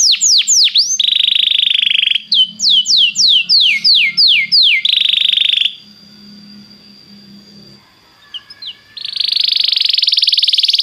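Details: Belgian canary singing, used to warm up other canaries: fast runs of downward-sweeping whistles alternate with dense buzzy rolls, then a near-silent pause with a thin steady tone before another buzzy trill starts.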